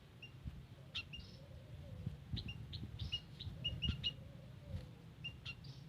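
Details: White-headed munia calling in a garden, recorded as a lure: a busy run of short, high chirps and tinny peeps in quick succession, with dull low knocks and background hum beneath them.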